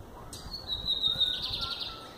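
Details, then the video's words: Lined seedeater (bigodeiro), a Verdin-style singer, held in the hand while singing: a long, thin, high whistled note sliding slightly down, ending in a brief buzzy trill. "Bigodeiro Verdin cantando na mão"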